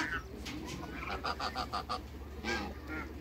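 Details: Backyard pair of African geese among other waterbirds, a quick run of five or six short, evenly spaced honks followed by a single louder honk, with low machine hum and mixed farmyard noise behind.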